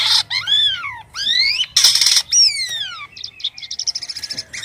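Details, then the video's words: White-vented myna singing actively with odd sounds: loud arched whistles that rise then fall, alternating with harsh noisy bursts, then a quick series of rapid high ticking notes at the end. "burung jalak kapas gacor suara aneh"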